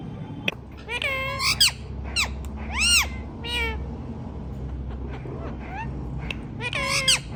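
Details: Indian ringneck parrot talking, repeating "mithu mithu"; a series of short, loud, arched, strongly harmonic squawk-like syllables at irregular intervals, with a quiet room hum beneath.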